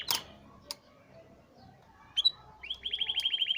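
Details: A Hipi canary gives a few scattered clicks and chirps, then breaks into a rapid high rolling trill for the last second.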